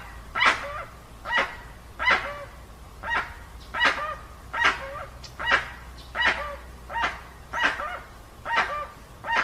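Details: Original sound of a dusky-legged guan, free of effects: around twelve coarse barking honks delivered at a fairly even pace, about one every eight-tenths of a second.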